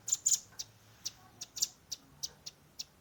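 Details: Juvenile velvet-fronted nuthatch, phone-recorded for tutoring songbirds: irregular sharp, high ticks and short double notes spaced unevenly, no sustained trill, against a quiet background.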